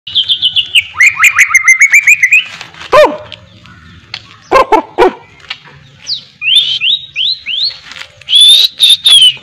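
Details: White-rumped shama kept for mental training, singing a varied song with imitated miwah phrases: rapid repeated whistled notes, a string of falling slurred whistles, high rising sweeps, with several sharp, loud bark-like knocks in between.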